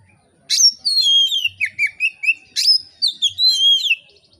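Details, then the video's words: Oriental magpie-robin delivering relaxed, loud song to provoke other magpie-robins to sing. Two phrases, each opening with a sharp high burst, flow into rapid rising and falling whistles and short repeated notes. "kacer gacor ngeplong santai, sangat cocok memancing kacer lain bunyi dan gacor"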